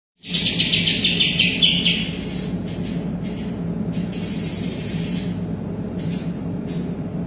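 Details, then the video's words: Greater green leafbird singing vigorously, its song filled with kapas tembak imitation: a burst of dense, rapid high chirping twitters for about two seconds, then fainter scattered notes over a steady low hum. "cucak ijo isian kapas tembak full gacor"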